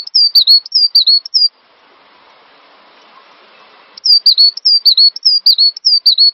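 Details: Cinereous tit, from a master recording for songbird training, delivering fast high whistled notes in dipping pairs, broken by a gap of about two and a half seconds of soft hiss before the song resumes.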